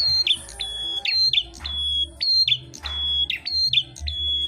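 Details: Red-headed prinia, also called prenjak klawu, fighting another bird. Piercing steady whistles, each dropping into a short slurred twist, repeated nearly once a second in an insistent, alarm-like series.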